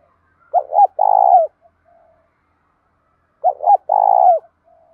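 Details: A spotted dove gives two full coo phrases in the 'đồng pha tí thổ' voice, used to provoke and train other doves. Each phrase is two quick soft notes and then a sustained mellow coo, about three seconds apart, with near silence between.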